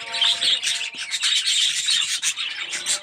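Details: Red-eyed budgerigars in an aviary colony, many birds chattering at once in a dense continuous warble of buzzy chirps and squeaky notes, with no gaps.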